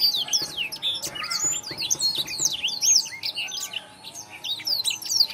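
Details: Blackthroat singing for masteran training: a lively, unbroken chatter of high sweeping notes and sharp chips, some rising and some falling, briefly softer near the end, with a faint steady hum behind.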